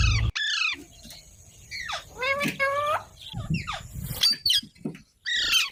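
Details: Baby green parrots from India giving grating, harmonic squawks in uneven bursts, some calls dropping sharply in pitch, with brief quiet pauses between outbursts.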